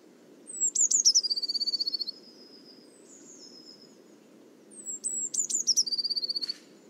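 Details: Eurasian blue tit singing twice on 1 December: thin, very high introductory notes dropping into a fast, even trill of about a second, over a low background rumble.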